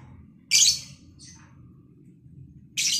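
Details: Lovebird, one of a captive pair being matched for breeding: two loud, harsh high screeches two seconds apart with a softer chirp between them, over low background hum.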